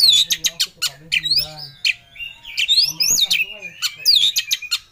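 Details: Oriental magpie-robin (kacer) in an emotional ngobra challenge, looking for an opponent. Its dense stream of harsh squawky bursts is broken by clear upslurred and downslurred whistles, all packed tightly across five seconds.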